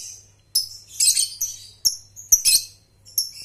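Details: Lovebird calls for training young birds to trill: scattered sharp, scratchy high chirps and brief chatters spaced irregularly about every half second, over a quiet low hum.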